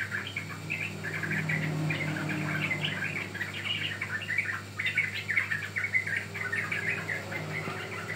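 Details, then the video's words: Training lure of a young yellow-vented bulbul: continuous lively chatter of chirps and slurred whistles, fairly loud throughout, with a low humming background. "Pancingan Ampuh Burung Trucukan Paud"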